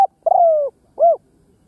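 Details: Spotted dove decoy calling to lure wild doves, a short fragment: a drawn-out, slightly falling hollow coo followed by one brief rounded coo, on a quiet background.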